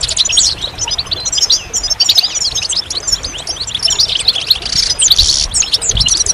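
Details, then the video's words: Goldfinch twittering continuously in fast, overlapping high chirps and trills, with a short, bright buzzy stretch near the end. "Magical Goldfinch Songs"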